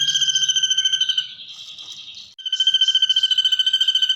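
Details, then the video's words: Ashy drongo mimicking the kunti sound: fast, cackling, laugh-like pulsed trill, high and ringing, interrupted by a burst of softer scratchy warbles before the rapid chatter starts again. "Masteran burung srigunting nembak suara kunti"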